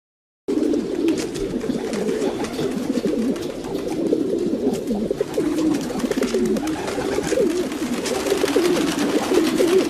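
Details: Domestic pigeons cooing together: a dense, continuous layer of low, rolling coos overlapping throughout, with faint clicks and rustles above and no pauses.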